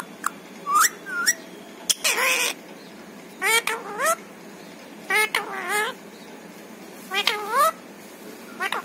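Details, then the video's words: Household parrot talking, with phrases like papa, mummy and Radhe Radhe; short squeaks followed by four groups of rising, wobbling speech-like syllables spaced through a quiet indoor setting. "छोटू मिट्ठू की प्यारी बातें"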